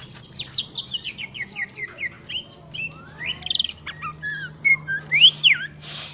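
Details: Song of a greater green leafbird: a descending series of quick chirps, then whistled slides, a brief rattled trill and sharp rising notes, with a constant low hum behind.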